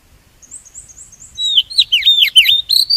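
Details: Oriental magpie-robin song used as a lure to trap wild birds and spur singing: faint high repeated chirps, then loud varied whistled phrases with swooping notes and slurred trills.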